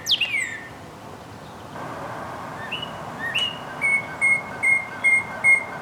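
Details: Northern cardinal: one steep downslurred whistle, a pause with low background rumble, then a steady series of short, even, mid-pitched whistled notes repeated about every 0.4 seconds.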